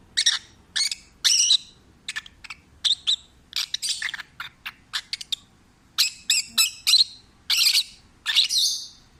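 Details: Peach-faced lovebird, a rescued pet parrot, singing while relaxed and happy: bursts of harsh, buzzy chirps and squeaky notes in quick irregular series, each under half a second, with short pauses between.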